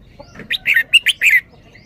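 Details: Red-whiskered bulbul singing its 'double-double' song style: one quick phrase of about six bright, warbled, whistled notes, rising and falling in a lively burst, against a quiet background.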